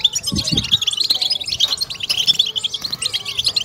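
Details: European goldfinch song used to stimulate and excite other goldfinches; dense, fast twittering and tinkling notes run without pause, with low thumping sounds near the start.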